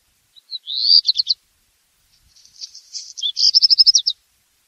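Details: A black redstart's song: a rising whistled start breaking into quick stutters, a pause, then a scratchy fizzing middle that ends in a bright rapid series of clipped notes.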